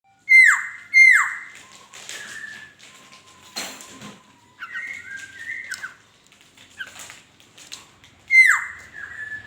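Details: Laughingthrush singing: a pair of loud, sharply down-slurred whistles opens, followed by softer level and wavering whistled notes, and another loud falling whistle near the end.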